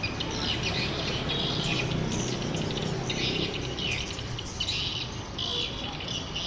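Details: Edible-nest swiftlets connected with swiftlet farming: bursts of high, buzzy twittering from many birds rise and fade in overlapping waves over continuous broadband hiss.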